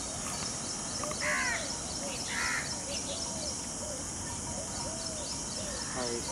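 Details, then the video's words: A peacock displaying its feathers gives two short, harsh, nasal calls close together, with softer bird notes and a steady hiss of background noise. "Peacock sound"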